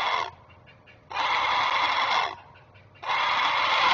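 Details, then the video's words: Great blue heron adult guarding its offspring at a Chesapeake nest on May 19, 2023, captured by a nest camera. It gives long grating croaks of over a second each, separated by short quiet gaps. "Great Blue Heron Alerting While Protecting Kids"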